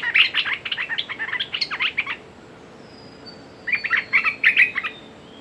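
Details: A red-whiskered bulbul calls as a decoy to lure a territorial wild bird. It gives a long string of quick chirped and whistled notes, pauses, and then starts a second string. A faint thin whistle is heard in the background.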